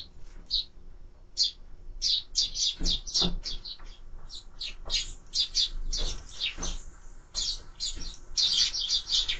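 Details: Sparrows at a bird feeder give bright, rapid chirps in dense overlapping bursts throughout, several birds calling at once, with faint low rustling beneath.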